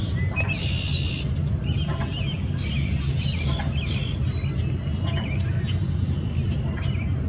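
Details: Newly arrived tree swallows checking out the marina and nearby nesting boxes, Ashbridges, 12 April 2022, giving thin, liquid chirps and short gurgling twitters in loose bursts, over a heavy low rumble of traffic or wind.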